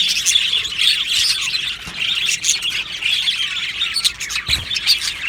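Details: Colony of budgies in an aviary, many singing and chirping at once: busy high twittering and squawky warbles, with a few louder scratchy notes standing out from the chorus.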